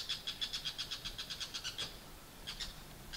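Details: A male Bull-headed Shrike, perched on a pruned branch at 7:03 am in early November 2014 in Japan, gives loud territorial morning calls claiming his backyard feeding territory: a fast run of harsh, high, squeaky notes, about eight a second, then a pause and a few more.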